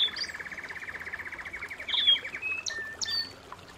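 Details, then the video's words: Canary singing at home: a fast, even trill of rapid repeated notes runs for about two seconds, then gives way to short whistled slides and sharp high chirps. "canary bird - canary singing - canary sounds - canary singing at home"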